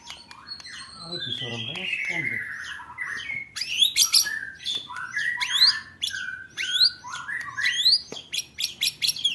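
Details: White-rumped shama training song for contest birds, 'roll tembak' style: a long descending whistle over a low rasping sound, followed by rapid mixed chips, sweeps and warbled notes.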